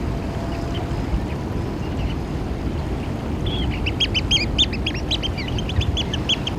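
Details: Eurasian oystercatchers: after a quiet start, a sudden burst of excited, high piping notes from several birds, rapid and overlapping, with a low background rumble.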